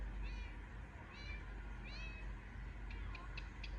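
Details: Baby Indian ringneck parakeet giving short, high upswept chirps in a series, with a few brief clicking notes, over a steady low background hum.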